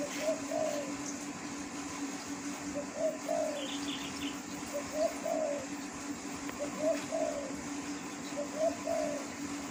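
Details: Spotted dove calling in the wild: a series of soft, mellow coo phrases, each a quick double note and then a longer coo, repeated about every two seconds against a constant background hum and occasional faint chirps.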